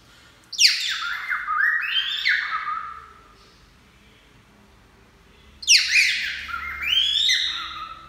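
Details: Pet cockatiel singing: two long whistled phrases, each opening with a sharp high rising-falling note, then a wavering, descending warble that fades, separated by a silent pause.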